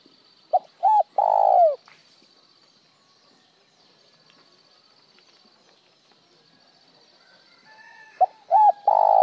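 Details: Spotted dove coo in the broken-tail-note calling style: a brief note, a doubled note and a drawn-out falling coo, then quiet before the next phrase starts near the end.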